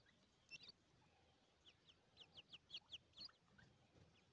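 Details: Grey francolin voice as a quick run of about eight high, clipped notes that build in loudness and then trail off, over a steady background hiss.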